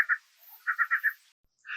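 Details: Male superb lyrebird in a bush beside a forest trail in the Dandenongs near Melbourne, serenading an unseen female with mimicked calls of other birds: two quick clipped notes, then four rapid bright notes, another starting after a short pause.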